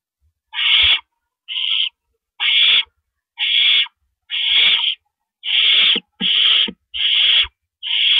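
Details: Owl nest at about 4:30 AM on April 4, 2012, with adults delivering rabbits. A steady series of breathy, screechy hisses repeats almost every second, with scattered low clicks and taps.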